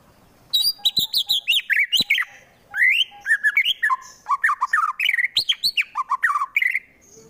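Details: White-rumped shama from Wonosobo, Central Java, in a rough fighting song used to rile up rival birds: a continuous stream of loud, varied whistled and chattering phrases, rising and falling, with a brief pause midway.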